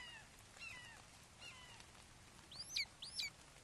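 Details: Red-shouldered hawks at a nest in Wake Forest on 29 May 2023 at 08:38, as a father brings a frog to a fledgling: faint downslurred calls early on, then two sharper, higher descending squeals near the end over steady background hiss.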